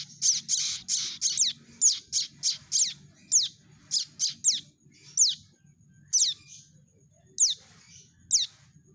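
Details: Calling prinia chick, recorded for luring birds into traps: a quick burst of high squeaky chirps that slows into single down-slurred notes spaced one to two seconds apart, with faint low rumble beneath.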